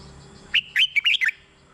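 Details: Red-whiskered bulbul song, played for decoy use or to excite caged birds: one quick warbled phrase of five bright, liquid whistled notes, rising and falling, lasting under a second, over a faint steady background hum.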